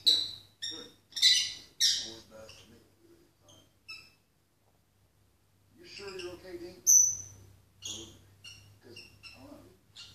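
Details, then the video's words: A female peach-faced lovebird sings toward the TV: a run of harsh, raspy chirps and squeaks, a pause, then softer chatter with a sharp high whistle. "LOVEBIRD SINGING TO TV"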